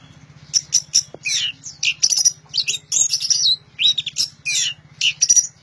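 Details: Loud orange-headed thrush song of rapid, varied phrases: sharp chips, rising and falling whistles and scratchy buzzes in quick succession, a faint low hum underneath.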